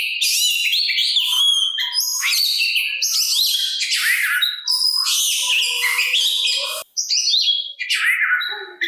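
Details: Oriental magpie-robin song aimed at provoking rival magpie-robins to answer and raising their fighting spirit: a long, unbroken stream of loud whistles, trills and harsh buzzy notes with one short pause near the end.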